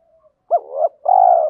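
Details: Spotted dove fighting coo, male and female, meant to stir captive decoy doves to answer quickly; a brief faint note, a rising-falling coo, then a long pulsing coo cut off at the end.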